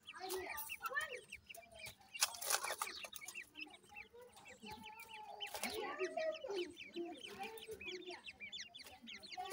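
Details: Many grey francolin chicks peep from the nest in fast, overlapping high notes, with deeper grating clucks and two bursts of rustling noise.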